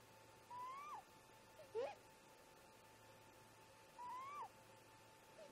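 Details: Great grey owl parents converse at their snag nest in the early hours, around 04:25: two rising whistles, each answered by a lower, louder, abrupt upslurred note, in a repeating pattern roughly every two seconds, with a faint hum behind.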